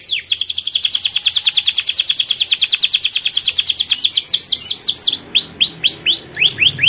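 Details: Canary singing to prompt other birds to sing: a fast, even trill of bright high notes for about four seconds, then slower, separate down-sweeping whistled notes to the end.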